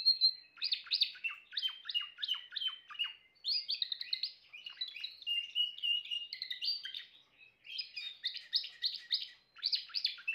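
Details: Timbrado canary delivering loud, rhythmic phrases of repeated downward-sweeping notes, each phrase a fast series of chirps with short gaps between, including a steadier rolling trill in the middle.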